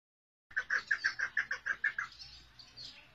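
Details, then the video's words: Female chukar partridge calling: a run of about ten short, clucking notes, evenly spaced and fairly quick, which fade and blur toward the end into softer, scratchy sound. "İnce keklik sesi dişi"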